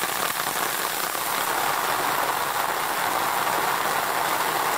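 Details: Heavy, steady rain hisses on hard surfaces, with a faint engine idling underneath.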